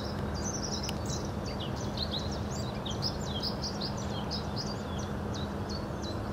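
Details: A Bluethroat in Hobokense polder, Belgium, on 21 March 2012 sings a fast, unbroken run of varied high chirps, trills and sharp notes, over a steady low rumble and hum of background noise.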